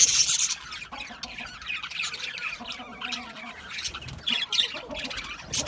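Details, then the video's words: Pet budgerigars in a small setup give harsh squawky chirps and continuous warbling chatter, loudest at the very start and again near the end. "Cute Budgies chirping Sounds | Budgies relaxing Sounds | Budgies parrots Sounds"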